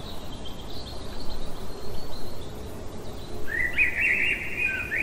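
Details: Night-singing common blackbird: after a quiet stretch with a faint thin tone, a short, bright, fluty warble starts near the end, over low steady noise.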